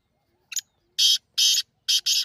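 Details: Partridge (teetar), presented as a natural call played to stir kept partridges into activity. A brief double chip, then loud, harsh, scratchy notes in quick succession, the last pair run almost together. Quiet background, nothing else heard.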